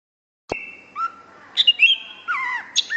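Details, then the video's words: Greater green leafbird singing vigorously: a sharp click, then long level whistles at different pitches, with short rising slurs and falling warbled notes toward the end, separated by brief pauses. "BURUNG CUCAK IJO FULL GACOR"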